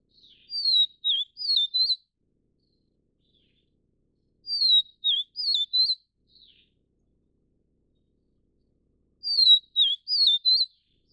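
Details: Vivid niltava of the Taiwan-endemic subspecies vivida, at a nest feeding chicks: a clear high whistled phrase of four notes, the first falling, then a dipping note and two wavering ones, repeated every four to five seconds in silence.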